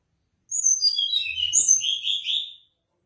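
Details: Mangrove blue flycatcher song, a two-second run of high, thin whistled notes that slide downward in steps, then a lower warbled ending; background otherwise quiet.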